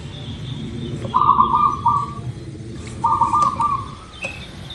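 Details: Local zebra dove song used as a lure to get birds to sing: two long rippling, bubbly coo phrases about two seconds apart over low background noise, with a faint high chirp near the end.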